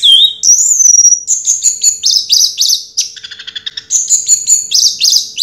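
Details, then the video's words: First-place 2022 contest orange-headed thrush sings a loud, continuous stream of high whistles and fast trilled, chattering notes, shifting pitch constantly without pause. "Suara Burung Anis Merah Juara Pertama Tahun 2022"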